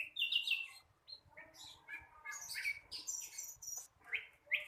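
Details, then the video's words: Flycatcher youngster practising its song, a loose, halting mix of short high chirps, quick upward flicks and thin whistles with uneven gaps, fairly soft throughout. "Sikatan londo masih belajar bunyi...!!!"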